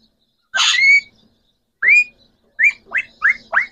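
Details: Pet green Pakistani talking parrot, one of three rose-ringed parakeets, gives a loud harsh squawk, then a rising whistle and four quick upslurred whistled notes.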